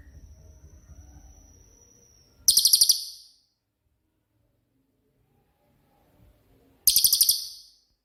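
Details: Cililin, favoured as a master voice for training songbirds; two sharp, very high bursts of about six rapid pulses, some four seconds apart, after a thin steady whistle and low background rumble.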